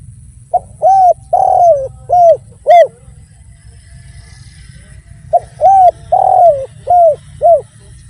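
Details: Spotted dove (derkuku) singing actively in the 'without kuk' and 'kuk 1' styles: two phrases of five mellow coos, a short pickup, two arched notes, a long buzzy middle coo, then two closing arched coos, separated by a pause.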